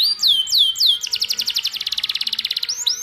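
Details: Canary song used for training canaries: several high, sweeping whistled notes that slide downward, then a fast, even trill of about twenty crisp pulses, ending with more descending whistles.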